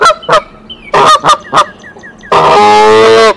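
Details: Female goose sitting on eggs at Decorah raises the alarm for the male, 27 March 2023; several harsh honks, then a long drawn-out tonal honk lasting nearly a second.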